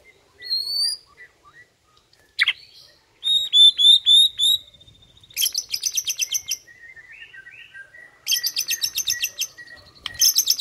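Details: Morning song of a White-rumped shama aimed at rousing rival males: varied clear whistles, a run of rapid high buzzy trills, a steady series of short notes, then more fast trilled bursts.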